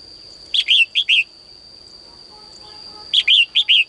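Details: Female bird's morning song from a cage, calling males to sing more; two pairs of bright, falling chirps, then after about two seconds two more pairs, over a constant thin high-pitched tone.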